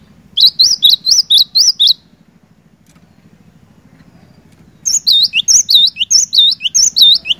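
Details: Cinereous tit singing vigorously, played to coax silent birds into song: two long bursts of fast, high, chirping two-note phrases, the second livelier and longer, with a low continuous hum underneath.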